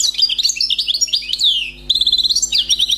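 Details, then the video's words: Wild European goldfinch, newly caught, singing a clean song of rapid tinkling twitters and descending slurs, a brief pause, then a buzzy trilled phrase and more quick chirps, all high-pitched above a low hum. "غناء حسون بري صيد جديد"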